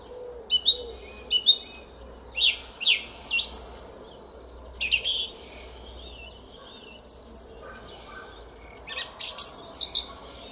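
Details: Spring morning song of a song thrush in a Szalkszentmárton garden, 06:15 on 10 April 2021: a string of varied high phrases, some notes doubled or repeated, clipped chirps and rising whistles, with short gaps between bursts.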